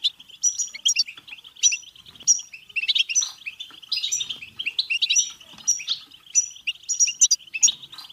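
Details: European goldfinch 'betbeta' song to stimulate singing, mating and excitement: energetic, fast twittering with repeated sweet high notes every second or so over an unbroken trilling hum.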